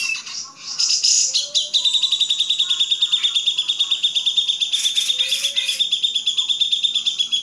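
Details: Master training recording of a grey-cheeked bulbul. A bright, continuous high-pitched chatter holds a sustained whistled tone with quick pulsing chirps throughout and brief louder bursts near the end.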